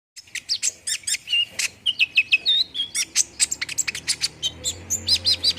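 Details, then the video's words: Olive-backed sunbird song used to prompt a bird to sing quickly: rapid high sharp chips mixed with short thin whistled notes, dense and busy, with a brief buzzy trill near the end. "PANCINGAN KONIN CEPAT RESPON BIKIN CEPAT BUNYI DAN GACOR"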